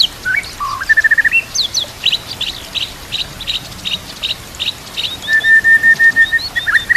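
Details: White-rumped shama song for training birds, with nature and trickling water in the background: stepped rising whistles, a run of short high notes, then a held whistle broken into quick pulses.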